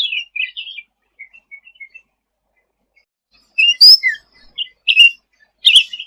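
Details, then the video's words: Sooty-headed bulbul in vigorous tutor song: a few chirps fading into soft short notes, a long silence, then loud sharp chirps and a rising whistle. "Suara Cucak Ranting Gacor untuk Masteran ll Suara burung cucak rante"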